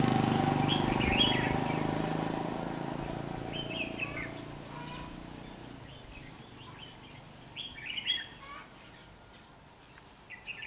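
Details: Red-whiskered bulbul with a bell-like voice, used as a decoy while trapping wild birds, recorded 27 November 2016. Short chirpy warbled phrases come in bursts over a steady low rumble of background noise.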